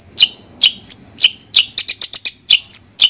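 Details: Song of a long-tailed shrike, played to restart a bird that stopped singing: crisp high chips and short whistled slurs, several quick notes bunched in the middle.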